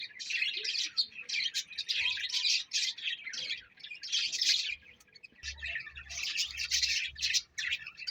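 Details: A parrot chattering in dense, rapid bursts of high chirps and squeaks, nearly continuous with brief pauses near five seconds, over a faint low hum.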